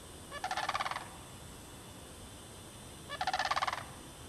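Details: Sandhill cranes calling in the bog at Derby Reach Park in March 2009, where mating cranes were seen. Two rapid rolling, trilled rattles, each under a second, are separated by nearly three seconds of quiet hiss.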